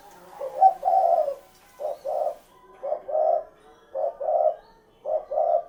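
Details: Spotted dove cooing in five short phrases, each a brief soft note followed by a longer, rolling low coo, spaced about a second apart with quiet gaps.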